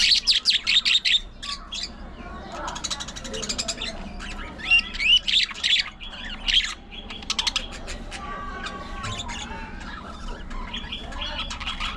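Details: Aviary colony of budgerigars squawking and chattering: bursts of harsh, buzzy rapid notes come in clusters several times, interleaved with quieter warbling and softer chirps.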